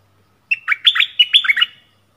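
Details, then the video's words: Yellow-vented bulbul decoy bird singing to lure wild birds, recorded 20 March 2021: one bubbly, chortling phrase of quick rising and falling liquid notes lasting about a second and a half, clear and loud against a silent background. "เสียงต่อนกดอกแตง Ep.37 นกป่าถึงกับ งง!! Burung merbah kuning"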